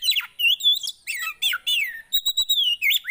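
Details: Javan white-eye song played to coax silent birds into song, with clear sliding whistles that rise and fall, several looping notes and a short series of quick chips.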